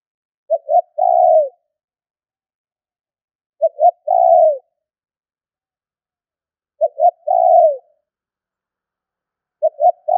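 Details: Spotted dove calling to lure wild birds: a clipped pair of short low coos, then a longer drawn-out coo sliding down at the end, the phrase repeated about every three seconds in otherwise silent surroundings.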